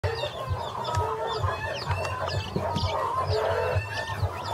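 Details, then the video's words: Pavlovskaya chickens, a group of chicks, giving many overlapping thin high peeps and short rising chirps, with low clucking and soft knocks underneath in a busy chorus. "Павловские цыплята Pavlov chickens"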